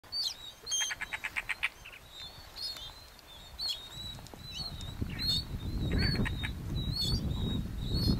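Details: A Galapagos mockingbird (subspecies bauri) sings varied high, thin phrases, including a quick burst of about seven rapid repeated notes, while a low wind rumble builds over the second half; Genovesa, Galapagos, Ecuador, May 2012.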